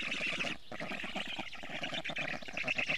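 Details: Wheezy, rapidly pulsed chattering at an Estonian black stork nest as a parent arrives with plenty of food on 12 June 2018, late afternoon; the calls break off briefly once, then resume just as fast.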